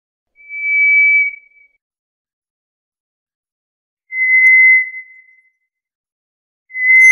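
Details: White's thrush repeating long single whistles about every three seconds, alternating a slightly higher note with a slightly lower one, each steady and pure, separated by silence.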